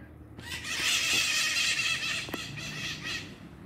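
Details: Maritaca parakeets on a rainy morning at 7:00 on 8 August 2022 give harsh, grating squawks in a dense, overlapping chatter, mostly high-pitched and continuous for a few seconds.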